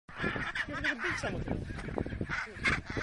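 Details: Chinstrap penguins fighting on the Antarctic Peninsula: harsh, braying honks with wavering harmonic tones, overlapping squawks from several birds in a colony.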